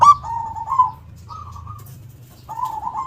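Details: Local zebra dove singing with a big voice: the end of a loud phrase, then soft, level rolling coos in short pieces over a low background rumble.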